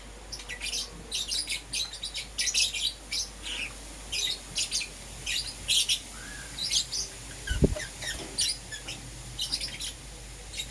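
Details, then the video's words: Pet lovebirds, green opaline and lutino, chirping in the morning: continuous stream of sharp high chirps in loose bursts over steady background hiss, with one brief knock. "Lovebird Chirping Sounds - Euwing Green Opaline & Lutino"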